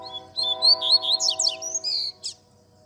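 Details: Double-collared seedeater singing the tui tui zel zel song style, a training recording for teaching young birds: quick high chirps and sweeping buzzy trills, set over steady low droning tones.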